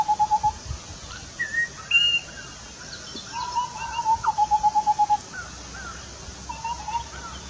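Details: Indian scimitar babbler singing quick runs of low, hollow, fluty whistles while hopping around a coral tree (Erythrina) in the Western Ghats, India, with faint higher bird notes behind.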